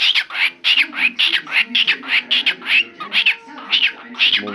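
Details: A pet cockatiel, addressed as a male, talks with its owner in Turkish, chattering in rapid, high, scratchy bursts of mimicked speech, several syllables per second.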